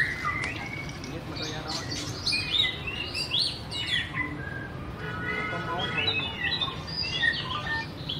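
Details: A white-rumped shama gives a varied song of whistles, chirps and a rattling trill in the middle, the phrases rising and falling, with a faint low hum behind.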